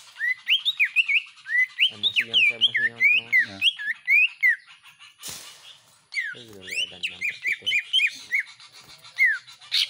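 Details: Greater green leafbird kept at home, singing hard alongside common iora-type notes: rapid chains of looping whistled notes, a buzzy nasal passage in the middle, and a brief noisy break.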